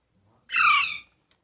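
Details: A single harsh, grating squawk from baby parrots, lasting about half a second, loud and layered, fading off quickly into silence.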